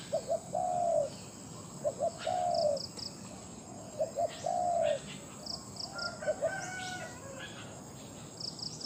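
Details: Spotted dove serving as a captive decoy in a luring session delivers its phrase of two short notes and a long falling coo, repeated four times at an even pace. Soft chirping of other birds runs through the background.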